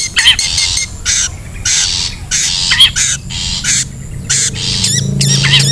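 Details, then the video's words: Wild long-tailed shrike, recorded as a lure for other birds. A busy mix of raspy bursts, sharp wavy notes and quick chattering. Low rumbling noise rises toward the end. "SUARA ASLI PIKAT CENDET,PENTET ALAM LIAR"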